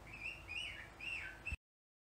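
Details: Female pet bird that mimics words such as "baby" and blows air kisses, giving a sustained warbling whistle in wavering rising and falling phrases, in two runs, cut off abruptly.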